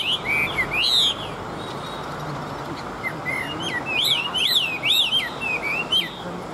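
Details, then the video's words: Chinese hwamei, an old wild-caught bird of large fighting build noted for singing and fighting well, gives loud slurred whistled phrases in bursts, some looping upward, over a steady low background hiss and hum. "Chim Già Rừng, Bản Lĩnh Hót Tốt Đấu Tốt"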